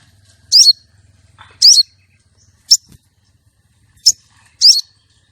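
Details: Female common iora calling, used to lure and trap males and to arouse male contest birds: five sharp, high chirps with quick up-and-down twists, spaced about a second apart, over a faint low hum.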